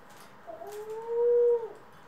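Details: Pet dove kept with Ringneck, Senegal and hybrid doves, recorded April 25, 2021: a single smooth tonal call lasting just over a second, sliding up briefly, then holding a steady mid pitch before dropping away, over a quiet indoor background.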